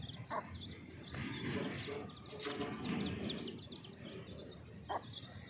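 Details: Brown and black hen feeding her chicks outdoors, the chicks chirping busily: dense overlapping high, thin peeps with quick downward slurs, and a few sharp clicks over a broad rustling outdoor background.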